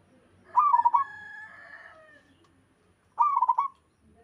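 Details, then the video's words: {'caption': 'Song of a local wild zebra dove, with other doves said to answer: two pulsed, rolling coo phrases about two and a half seconds apart, with a softer drawn-out tonal sound trailing after the first.'} "Suara burung perkutut lokal alam gacor sekali putar lainnya ikut nyahut"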